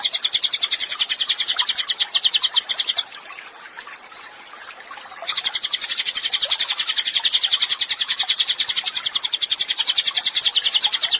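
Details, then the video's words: Cililin heard in a songbird tutor recording: a somewhat lower, rapid rattling trill of quick repeated notes, pausing for about two seconds, then resuming in a long, steady run. "CILILIN GACOR, MASTERAN HANDAL UNTUK BURUNG KICAU."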